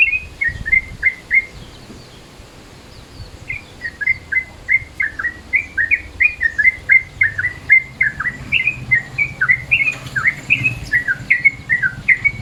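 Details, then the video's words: Midday-mode lure call of a Yellow-vented Bulbul: a brief burst of chirps, a short pause, then a long rapid run of clipped notes that bend down and up, fairly irregular in timing. "SUARA TRUCUKAN MODE SIANG, BISA NIH BUAT PANCINGAN"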